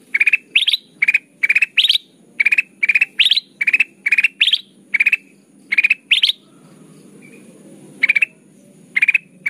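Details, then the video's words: Ruby-throated bulbul, locally kutilang emas, singing vigorously as a lure for bird trapping. Crisp trills of several rapid notes come about every half second, alternating lower and higher bursts, then a brief lull with one faint whistle before they resume. "Suara pikat kutilang emas gacor"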